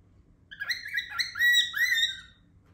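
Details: A cockatiel gives a loud run of harsh, rising and falling chattering notes. The owner wonders whether it is trying to say a word.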